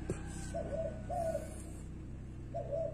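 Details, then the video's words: Spotted dove on a rubber tyre giving its "guru" coo: two soft, mellow, two-part hooted notes in quick succession, a pause, then a third, with a low steady hum in the background. "chim cu đậu trên lốp cao su, nó gáy guru"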